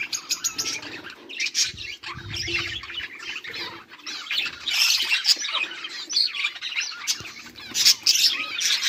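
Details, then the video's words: Several budgerigars chirping nonstop, a busy mix of fast twittering notes, squeaks and scratchy warbles, some louder bursts toward the middle and end, plus a faint low rustle. "budgies beautiful sounds and chiriping"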